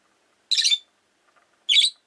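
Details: Rosy-faced lovebirds kept as pets, five birds in a cage beside a window, give two loud, harsh, scratchy chirps about a second apart, with a few faint soft notes between them.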